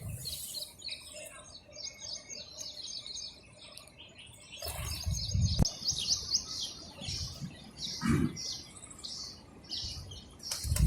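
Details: Sparrows eating food and chirping, a quieter scatter of high chirps at first, then busier overlapping twittering from several birds after four seconds, mixed with repeated low thumps and knocks.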